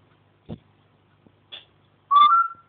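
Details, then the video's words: Pet African grey parrot indoors, making mimicked household noises: a couple of soft clicks and rustles, then a clear whistled note that rises and holds steady. "the african grey chatting away again"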